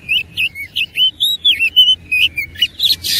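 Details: Oriental magpie-robin (kacer) in fighting mode, pouring out evenly spaced whistled phrases, each a quick upslur or warble, about four per second, ending in a harsh buzzy rasp.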